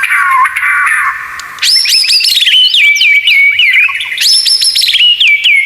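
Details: Training song of the white-rumped shama (murai batu), full of 'tembakan' phrases: a low whistled opening, then two bright bursts of high piercing notes sliding down into rolling, warbled trills.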